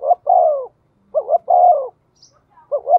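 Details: Decoy spotted dove in a cage, calling rapidly: two full hoarse phrases of a stuttering double note leading into a long, slightly falling coo, then the start of a third phrase.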